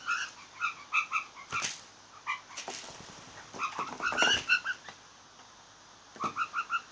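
Blue jay giving bursts of short, nasal, croaking notes, about four per second, with pauses between bursts and a few sharp clicks and rustles.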